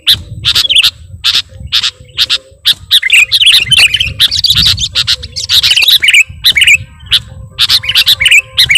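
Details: Sooty-headed bulbul in full, lively song on a lure recording, woven with mimicked notes. Loud high chirps and twittering phrases follow each other in quick bursts, with steady low background noise throughout.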